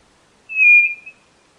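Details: White-bellied nothura: one clear, steady whistled note, slightly falling at the end and lasting under a second, in an otherwise silent setting.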